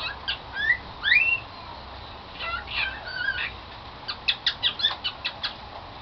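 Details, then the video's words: Pet cockatiel singing: a few slurred, rising whistles, then a burst of warbled notes, and finally a quick series of short, sharp chirps over light background hiss. "the cockateil bird that sing "Song of the Garden""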